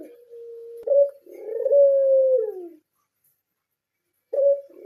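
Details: A blorok Barbary dove held in captivity gives a level hum, then a brief accented note and a long rolling coo dropping in pitch. After a pause, a new short note begins.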